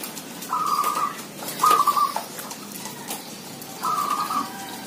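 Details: Numerous zebra doves calling: three distinct, fast, stuttering trilled coos, each under a second long, separated by short gaps over light background noise.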